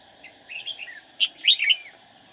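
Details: Red-whiskered bulbul decoy singing to draw rivals during trapping: a lively run of chattering, whistled notes that builds to louder, tumbling phrases near the end.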